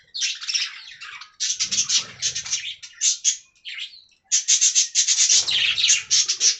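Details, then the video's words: Budgerigar colony in an aviary with fast, raspy pulsed twittering in loud bursts separated by short quiet gaps, scratchy chirps running several per second. "Budgie Talking Compilation"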